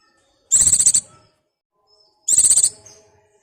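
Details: Breeding-condition white-eye calling for a partner gives two shrill, fast-pulsed trills of roughly half a second, separated by about one and a half seconds of silence.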